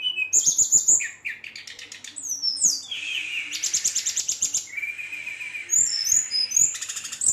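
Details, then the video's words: Agitated Brown-chested jungle flycatcher in full rolling song to provoke rivals, mixing rapid trilled bursts, bright high whistles and lower drawn-out slurred notes, delivered almost without pause. "SRDC Gacor Ngeroll, Sikatan Rimba Dada Coklat ngamuk memancing emosi srdc lain pancingan srdc lain"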